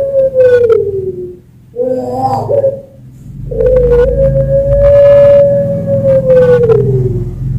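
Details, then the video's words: Master and bait song of a champion puter pelung Barbary dove from Sragen, Central Java: a falling coo, a trembling short phrase, then a very long arching hollow coo of about four seconds over low background rumble. "Suara Puter Pelung Juara (Masteran & Pancingan)"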